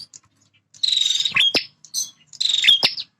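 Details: Singing male bar-winged prinia defending territory. Two raspy buzzing phrases, each ending in a sharp click, come about 1.5 seconds apart with near silence around them.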